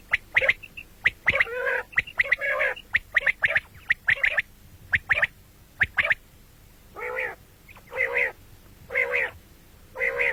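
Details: Common quail heard morning and night, giving clipped whistled notes in rapid doublets and triplets, then a series of four harsher, nasal, banded bursts spaced about a second apart.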